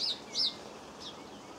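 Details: A European greenfinch in a garden in Cornwall, filmed in 2015, gives three brief, high, arched chirps over about a second and a half, with faint background hiss.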